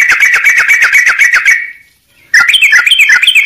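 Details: Sooty-headed bulbul song used for training other birds: fast chattering trill of repeated short notes, a brief pause, then rapid bubbly warbling phrases rising and falling.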